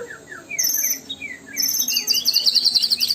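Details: Murai batu, the white-rumped shama, in a lure song: a few short falling whistles, then dense rapid high-pitched buzzy trills and chattering bursts pouring out continuously.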